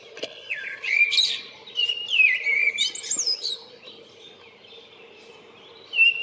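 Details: Common blackbird singing for a mate, recorded 28 February: a run of clear, fluty whistled phrases mixed with thin high squeaks over about three seconds, then near quiet broken by one short whistled note near the end.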